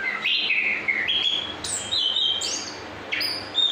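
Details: Chestnut-capped thrush delivering ngrol-style rolling song, a nonstop medley of sweet whistled notes that jump between low and very high pitches, with quick slurs and trills, over constant hiss.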